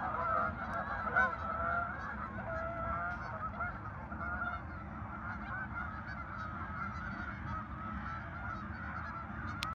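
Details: A crowd of geese at a farm park on 10 November 2024 honks steadily, a louder call early on and then an even chattering chorus, with a sharp click at the very end.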